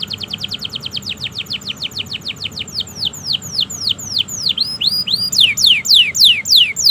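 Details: Domestic canary in long, continuous training song meant to set silent and young canaries singing: a rapid tour of repeated downward-swept whistles, about three per second, slowing into broader, louder sweeping notes near the end.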